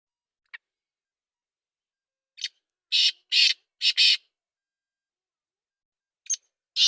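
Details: Black francolin giving its rasping call: one quick note, then a tight run of four harsh, scratchy bursts, with a further phrase starting near the end; no other sounds.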